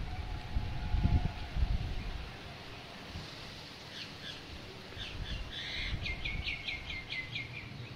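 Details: Common (Indian) myna on a coconut tree gives a burst of quick, chattering, whistled notes in the second half, over low rumbling background noise and a few early thumps.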